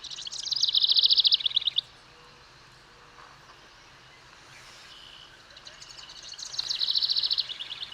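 Northern house wren singing two loud bursts of rapid, bubbly, high-pitched chattering notes, each under two seconds long, with a quiet pause between them.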